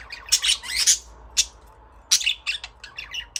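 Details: Budgies giving rapid chattering chirps: a dense scratchy burst of high notes, a lone squeak, then a run of short clipped tweets and trills at varied pitch, against near silence.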